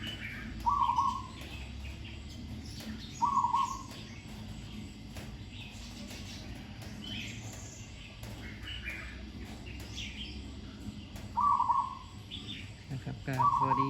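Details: One captive Zebra dove in training, hung in trees, called sweet-voiced with good phrasing: four burbling, rapid coo phrases at uneven intervals, with other birds chirping softly in the background.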